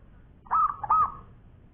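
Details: One phrase from a local zebra dove in champion long-voiced song: two mellow, rounded cooing notes in quick succession, the second trailing off softly, with quiet low noise around them.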